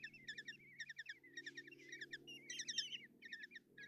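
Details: Begging Common kestrel nestlings at Tiszalök, Hungary, fed by their mother one June morning in 2024. Rhythmic clusters of shrill, vibrating chitters alternate with drawn-out wavering squeals, over a faint steady hum.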